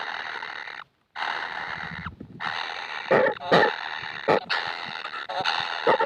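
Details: Baby kingfishers begging for food: continuous rough rasping broken by one short silence, later punctuated by louder sharp strokes.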